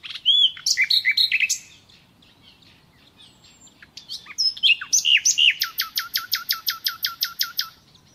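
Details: Natural song of a common nightingale, with clear downslurred whistles, a pause, then a steady series of about fifteen loud repeated notes, each dropping in pitch.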